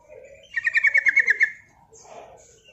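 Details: Javan trucuk, the sooty-headed bulbul, singing a long 'ropel' rattle meant to provoke other trucuk into song: a rapid burst of about ten bright, evenly spaced notes within one second, framed by softer low murmurs.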